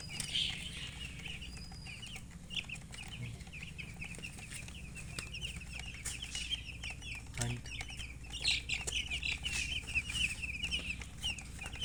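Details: A group of baby chicks chirps without pause, high short peeps tumbling over one another in a dense, uneven stream, with a brief thump midway and a low steady hum beneath.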